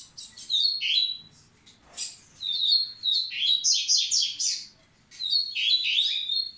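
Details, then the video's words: Double-collared seedeater song meant to prepare females: four bright twittering phrases, each about a second long and separated by short gaps, mixing quick chirps with clear falling whistles. "Coleiro Massai cantando pra aprontar as fêmeas!!!"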